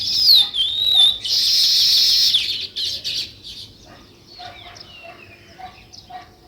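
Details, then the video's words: High sparrow chirps: a sharp whistled note, then a loud burst of massed chatter, fading into scattered thin chirps and short trills. "Natural Sparrow View and Sounds | Chirping Sounds"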